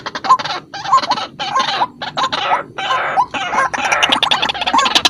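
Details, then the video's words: Vocal white-breasted waterhen used to lure birds: bursts of harsh, noisy notes with hooked rising phrases, broken by brief gaps, irregular in rhythm. "BURUNG RUAK RUAK GACOR || SUARA PIKAT RUAK RUAK"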